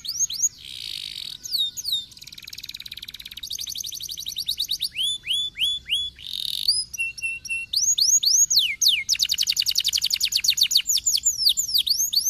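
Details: Canary song for stimulating lazy canaries to sing: a continuous, high, varied song of fast repeated trills, sweeping whistled notes and rattling phrases that change every second or two, over a faint low hum.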